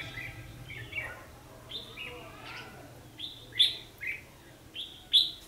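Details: Red-whiskered bulbul fighting song used to lure rivals into a trap, recorded 14 December 2015. Clear whistled phrases of several notes, each ending in a loud bright note, repeated roughly every second and a half, background fairly quiet.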